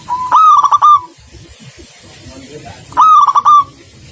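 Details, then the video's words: Local zebra dove singing energetically: two stuttering, trilled cooing phrases near one kilohertz, each about three-quarters of a second long and spaced about two and a half seconds apart, over faint low background rumble. "Perkutut Lokal Gacor"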